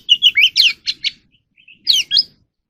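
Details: Oriental magpie-robin song used for voice training: a rapid jumble of chirps and twisting whistles, a short pause with two soft notes, then another bright burst of slurred, high warbles.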